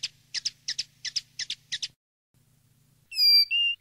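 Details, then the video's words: Field-style (campero) common linnet song for educating young birds: six paired, scratchy high chirps in steady rhythm, a short silence, then two clear, pure whistled notes, the second slightly higher and level. "NUEVO CD CAMPERO PARA EDUCAR PARDILLOS"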